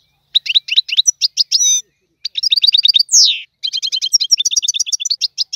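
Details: Goldfinch singing tiwawati-style song: crisp, rapid twittering note pairs broken by a few buzzy held notes and a steep descending slur, then a long run of fast repeated chirps.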